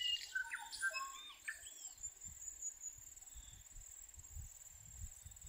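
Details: A common starling, one of several in a bare tree in late-winter sun in the Maungakotukutuku Valley, New Zealand, sings a quick two-second jumble of whistles, chirps and slurred notes over steady high insect hiss and low wind rumble.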